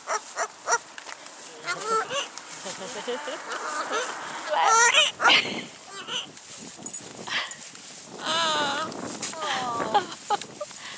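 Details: Ret, a female pet scarlet macaw, gives harsh, repeated dog-like barks between bursts of mimicked speech, reciting her ABCs, as a person talks to her and her dachshund companion in the background.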